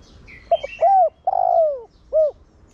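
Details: A decoy spotted dove calls in the Thổ Đồng style, meant to prompt other doves to coo quickly. The phrase has brief clipped notes, a mellow coo, a long slurred descending note and a short closing hoot, with small chirps from another bird at the start.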